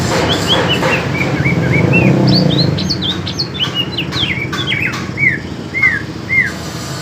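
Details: East Kalimantan greater green leafbird pitted against a speckled Alas Purwo bird from Banyuwangi in a singing fight: series of looping whistled notes, upward and downward slurs, with low rumbling background sound early on.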